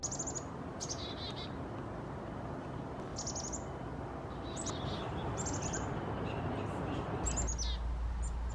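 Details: A black-capped chickadee, recorded August to October 2020, gives quick clusters of high, thin chips and twitters, a few bursts every second or two, over a steady low rumble of wind or distant traffic.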